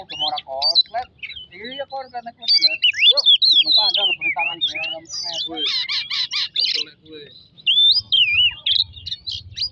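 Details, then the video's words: Oriental magpie-robin song used as a lure to provoke another bird into singing: a dense run of varied whistled phrases, sweeping and warbling notes and rapid trilled bursts, with some lower harsh harmonic notes mixed in. "pemancing emosi burung kacer"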